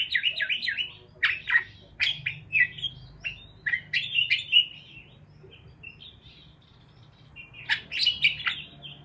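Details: Bursts of parakeet chatter, quick squeaky chirps in clusters, separated by a long near-silent gap before a final lively flurry.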